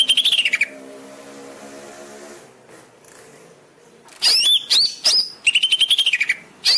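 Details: Greater green leafbird song played to train caged birds: a warbled phrase, a quiet stretch with low hum, then loud sweeping whistles and fast chattering runs.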